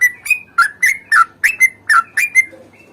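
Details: Sooty-headed bulbul, singing a fighting song with a long roll: a fast sequence of ringing slurred whistles, several bending downward, about three a second, ending with a softer note.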